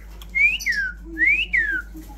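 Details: Indian ringneck parrot, presented as a talker, giving two clear whistled phrases about a second apart, each sweeping smoothly upward and then sliding down, like a wolf-whistle; quiet steady hum in the background.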